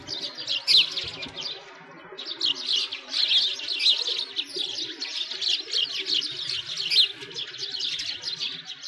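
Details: Winter in a Moscow park by a frozen lake: a sparrow flock chirps loudly and constantly, high rapid notes piling on one another after a brief quieter lull near the start.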